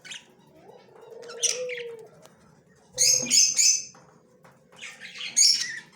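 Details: Yellow male budgerigar, recorded October 9, 2024, making scratchy high chirps in three quick bursts near the middle and one at the end, over a low drawn-out background tone early on.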